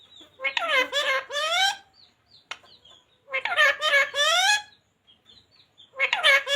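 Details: Pet green ringneck parrot indoors speaking the words "radhe radhe": three harsh, harmonic, speech-like bursts with wavering pitch, each under a second, separated by short pauses, with faint high chirps between them.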